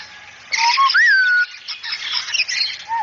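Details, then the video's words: Cockatoo training audio to make a cockatoo talk fast and be chatty: short low notes, then a bright upslurred whistle dropping into a held tone, over rough chattering noise. "Masteran agar kakatua cepat bicara dan cerewet"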